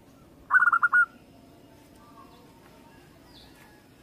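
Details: Local zebra dove (perkutut) song: one quick phrase of five soft, staccato cooing notes ending in a slightly longer note, with a second phrase beginning as the recording ends.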